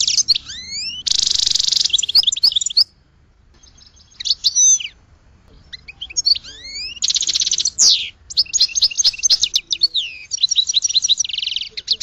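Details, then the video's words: Goldfinch song over twelve seconds: sweeping whistled notes, loud rasping buzzes, and long runs of rapid jangling twitters, separated by a couple of quieter gaps. "Goldfinch Song to Educate Newcomers to Their Call"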